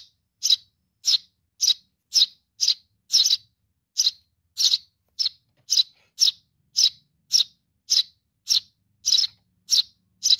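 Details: Baby sparrow (burung gereja) calling for its mother, feeding call: sharp, high chirps repeated steadily about twice per second, each short and bright, against a quiet background.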